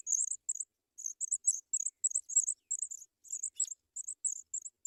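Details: African pipit nestlings begging as parents bring white butterflies to the nest; loud, thin, very high double-note squeaks repeated rapidly, about three per second.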